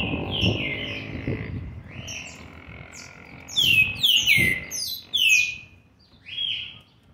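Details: Young green-winged saltator, seven months 20 days old, 13/11/2020, giving slurred falling whistles that rise into a loud run of ringing downslurs, then a final lone whistle; a faint low humming tone runs under the opening.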